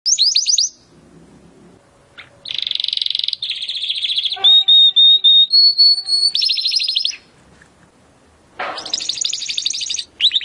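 Timbrado canary song: fast metallic trills, then a run of clear whistled notes stepping upward, then bright rolling trills again.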